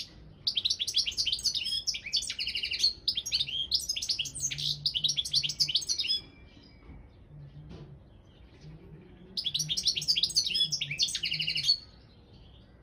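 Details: Balkan goldfinch, Carduelis carduelis balcanica, recorded for an online world song championship: a long tinkling, twittering phrase lasting about six seconds, a quiet pause of several seconds, then another rush of bright chattering notes.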